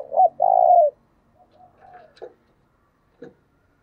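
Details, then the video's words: Spotted dove lure cooing for caged, newly caught doves: one loud phrase, a brief hoot and a drawn-out mellow coo, followed by faint soft notes and a couple of light clicks. "Tiếng cu gáy mồi chuẩn"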